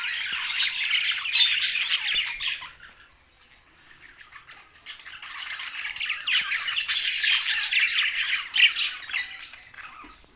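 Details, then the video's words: Pet budgerigars chatter in two bursts of dense squawking and twittering separated by a quieter lull of a few seconds. "Budgies Australian parrot sounds"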